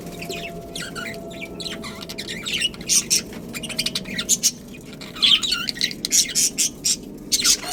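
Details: Budgies in a colony, many birds calling: quick high chirps and squeaky warbles come in uneven bursts, growing livelier and louder toward the end.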